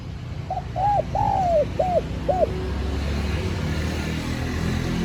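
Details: Cooing spotted dove, its call used to draw in wild doves, gives a single phrase of short and drawn-out soft hoots lasting about two seconds, followed by steady rumbling background noise.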